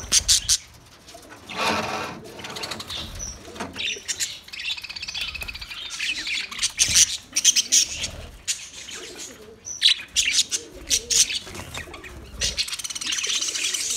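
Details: Budgies chattering almost nonstop, a dense mix of rasping squawks, quick chirps and warbled notes that swell and fade over several seconds.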